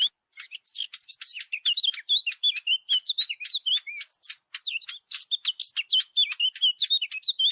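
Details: Hunting-lure sound of a warbler: a long, unbroken stream of quick twittering notes, whistled slurs and dry clicks alternating at a high pitch, scratchy and varied throughout.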